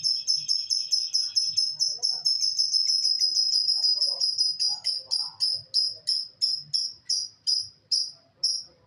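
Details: A lovebird pours out a fast, high, rattling stream of notes for several seconds, then breaks it into crisp single chirps repeated at a steady, slowing pace.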